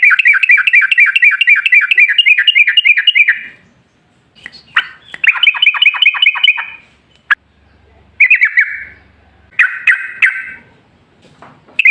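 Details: Yellow-vented bulbul in long 'ropel panjang' song, used to draw other bulbuls into singing; a fast rolling series of liquid notes for three seconds, then shorter bursts separated by silences.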